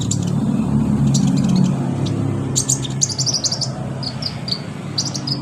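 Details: An olive-backed sunbird gives quick, very high, thin chirps and tinkling notes, about four a second, over a steady low engine-like hum; used to prompt reluctant captive sunbirds to sing.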